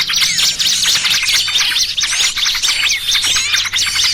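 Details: Trapping lure of small birds chattering excitedly: many thin, high twitters and quick up-and-down whistles pile up in a dense, restless stream with no gaps.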